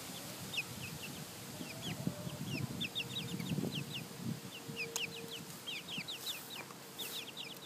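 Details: Four baby chickens eating grass and frolicking outdoors give a busy stream of short, high peeping chirps, each a quick downward-slurred note, overlapping rapidly over soft low rustling and background noise.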